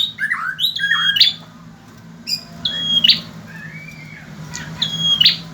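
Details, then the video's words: Chattering notes open this stretch from a male bar-winged prinia kept as a tutor for other birds. Two high whistle-and-buzz phrases follow, about two seconds apart, over a low background hum. "Suara burung prenjak jantan gacor.. cocok untuk masteran"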